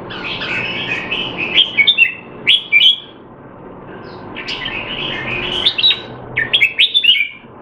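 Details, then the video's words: Red-whiskered bulbul kept in a cage in Singapore during training while out of form, 25 December 2020, delivers clusters of sharp, slurred whistled notes in two bursts, with softer bird chatter in the background. "นกหัวจุก Jambul V2 LoneRanger training keep him sharp (he's not in form)"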